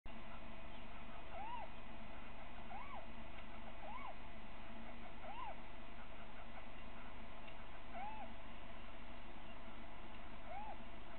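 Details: A little owl on a webcam at Winterswijk, 3 February 2017, 17:55, during a short meeting with a third owl, gives short, mewing, rise-and-fall notes, six over about eleven seconds at uneven gaps, against a steady low rumble.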